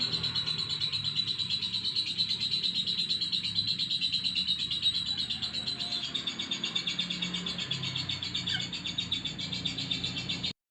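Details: Lovebird giving a dense, continuous stream of high, rapid chirps and twitters, repeated almost three times a second for the whole clip, with a faint low hum underneath.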